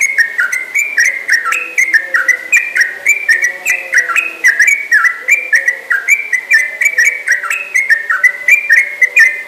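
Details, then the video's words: Yellow-vented bulbul (trucukan) in full, persistent song with long continuous phrases: an unbroken run of bubbly, liquid whistled notes rising and falling in quick steps, over faint, rapid high-pitched ticking. "Burung trucukan yang sangat gacor dan ropelnya panjang"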